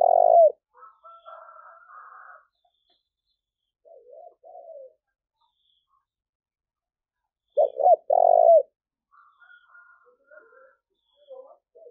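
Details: Coo call of a spotted dove used for luring wild birds: two loud phrases of a brief note, a doubled note and a drawn-out quavering coo, separated by quieter buzzy calls and soft distant coos.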